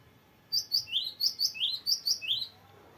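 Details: Gelatik batu (cinereous tit) in chatty, long varied rolling song used as a tutor for young birds: fast repeated pairs of sharp high notes and lower slurred notes, about ten notes over two seconds, quiet background.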